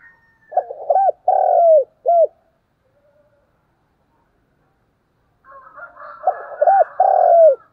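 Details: Two phrases from a decoy spotted dove's fighting or courtship cooing. Each has clipped arched coos and a long falling coo, separated by about three seconds of silence. Fainter, higher rough notes sound around the second phrase.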